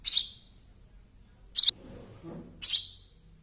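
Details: Three shrill, high chirps from a baby sparrow, irregularly spaced within about three seconds, with a soft low rustle between the second and third.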